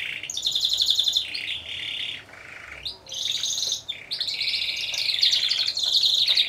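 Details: Competition song of a four-bird Timbrado Español canary team, judged on 25 November 2015: bursts of high rolling trills broken by short gaps, then a louder sustained warbling run.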